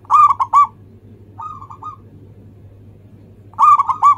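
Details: Cooing of a local zebra dove, a recording meant as a lure to prompt other birds to sing: a rolling phrase of soft, hollow notes, a fainter shorter phrase, then another full phrase, with a low background hum.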